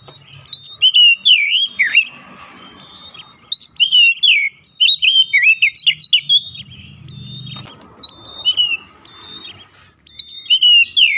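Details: Oriental magpie-robin singing as a lure to draw other magpie-robins into song: repeated loud bursts of varied slurred whistles and trills, four main bouts with short pauses, low rumbling noise underneath.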